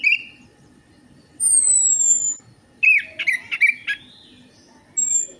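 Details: Orange-headed thrush song used as a lure to get birds singing: a short whistle, then a long high descending note and a jumbled burst of warbled, chattering phrases.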